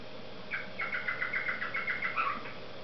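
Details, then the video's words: Cockatiel parrot sings a continuous, rapidly pulsing whistled warble of steady pitch lasting about two seconds, ending on a brief downward note. "Попугай Корелла песенки поет Parrot Sings"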